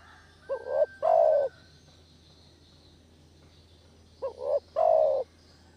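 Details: Spotted dove lure sound used to catch doves: two phrases, each a short rising double coo leading into a long, mellow coo, about three seconds apart. A brief faint whistle and steady low hum are also heard.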